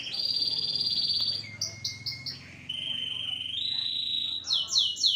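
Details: Canary getting noisy and excitable: a loud ringing trill, a few short sharp notes, a long steady buzzy roll, and a closing burst of bright swooping notes.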